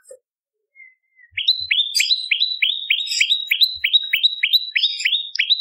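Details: Bar-winged prinia song used to lure birds: after a faint thin whistle, a lively, even string of sharp down-slurred notes repeated about three times a second, with faint high chirps over it.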